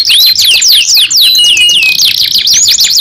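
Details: Young canary song mixing clear sliding whistles with rapid zigzag trills, high and bright throughout.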